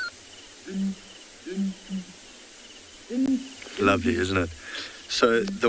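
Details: Early-morning duet of a male and female Southern Ground Hornbill breeding pair in the Kalahari, South Africa: a few low booming hoots, then a person starts talking over them.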